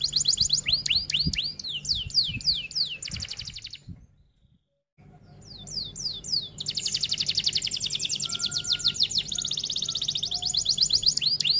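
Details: F1 canary in full 'gacor' song of the long 'rol tembak' style, used as a tutor recording: rapid repeated downslurred whistles, a brief silent gap near four seconds, then dense buzzy rolls and sweeping high notes over a faint low hum.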